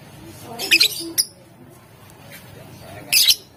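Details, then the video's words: Lovebird recorded to provoke rivals to answer, a quick run of three shrill chattering squawks, then a pause and one more harsh burst, with a faint low hum behind. "Suara Lovebird Gacor Memancing Emosi Lawan, Bikin Lawan Langsung Nyaut"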